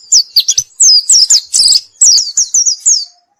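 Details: Loud, close white-eye song of very high, quick slurred chirps and short trills, delivered in a fast, choppy stream for about three seconds before stopping abruptly.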